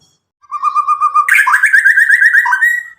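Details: Untutored nine-month-old white-rumped shama from Medan, past its spotted juvenile stage, singing loudly and clearly: a steady string of low whistled notes, then a higher rippling trill of rapid notes.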